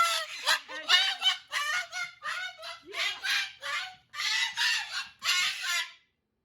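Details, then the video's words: Pet cockatoo at night during hormone season, screaming for attention after screaming all night: a rapid series of about ten harsh, raspy, loud screeches, each roughly half a second. "You've been screaming all night."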